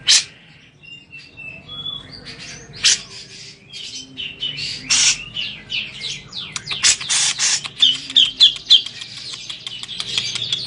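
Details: A grey-cheeked bulbul bathing gives scratchy, chattering notes and brief high whistles in quick bursts, mixed with loud splashing sounds.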